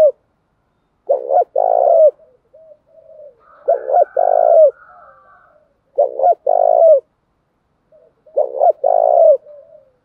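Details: Male and female spotted doves cooing, used to stimulate training birds to coo: paired low coos with a longer rolling note, repeated in phrases about every two and a half seconds, with softer background cooing between.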